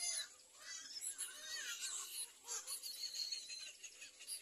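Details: Little egret chicks at the nest with their mother, biting at her hard: a continuous jumble of harsh, raspy squealing calls in rapid overlapping bursts, with a steady high insect hum behind.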